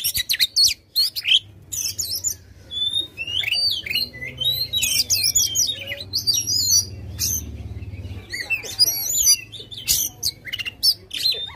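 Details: Aggressive White-rumped shama, tail spread, singing as a lure for a quiet bird: long varied medley of fluty whistles, twisting slurred phrases and sharp clicks, with a low hum swelling midway.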